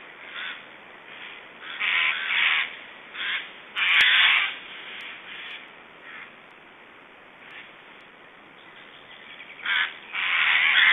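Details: Estonian black storks at feeding time, 1 July 2012 mid-morning, giving strange sounds: irregular harsh, wheezy rasping bursts of varying length, some long and loud, with quieter gaps between.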